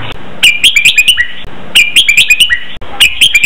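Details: Red-whiskered bulbul song meant for teaching caged birds, doubled style with counted notes: three bright phrases of rapid, slurred whistles in quick succession, each about a second long, over light hiss.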